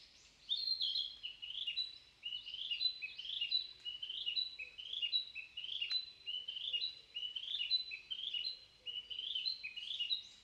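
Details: Narcissus flycatcher singing in a morning forest: a high, repeated phrase of rolling slurred notes ending in a clear whistle, delivered rhythmically about once a second, with a faint lower bird call behind.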